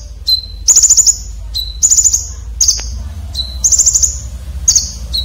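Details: Red-breasted konin, sharp coarse fill-in for training contest birds: thin, steady whistles, each answered by a quick buzzy string of piercing high ticks, repeating roughly once per second.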